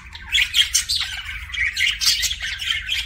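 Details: Budgerigar, a pet, makes kissing sounds: squeaky chirps and buzzy warbled notes come in quick clusters across about three seconds.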